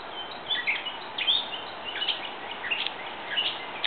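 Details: Grey catbird singing: a jumbled run of short squeaky, mewing and chattering phrases, each one different, spaced irregularly about every half second over a steady background hiss.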